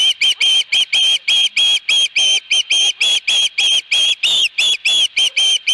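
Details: Osprey at its nest at Dunrovin Ranch with a fish, 22 August 2020: a fast, insistent string of shrill whistled chirps, about three per second, each note high and steady with little pause between them.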